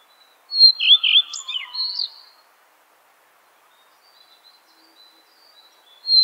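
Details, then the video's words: Common Redstart singing one short phrase, a high whistle followed by a few sliding, squeaky notes, then near silence with faint distant notes and the start of a new whistle at the end. "Горихвостка обыкновенная (Phoenicurus phoenicurus) - пение"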